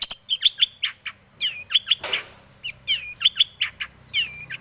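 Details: Long-tailed shrike in breeding condition singing a busy 'full isian' song, used as a lure to set other shrikes singing: sharp high chirps and short downslurred notes in quick clusters, with one brief burst of broad noise midway.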